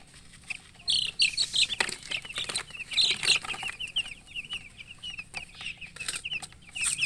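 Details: Newly hatched chicken chicks peeping loudly: rapid high chirps, many birds overlapping, brief louder bursts of dense calling near the start and middle, with faint rustling and handling noise.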